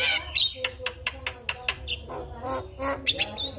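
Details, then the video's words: Morning song of a Javan myna, a lure for silent mynas: rapid harsh clicks and grating notes mixed with brief squeaky whistles. "Pancingan Burung Jalak Kebo Macet Bunyi Pagi Hari Akan Bikin Jalak Lebih Semangat"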